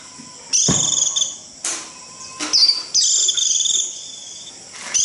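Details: Japanese white-eye 'rít' call for gathering the flock: short, high, buzzy trill bursts and one longer sizzling run, separated by pauses, with a faint low whistle and a brief knock.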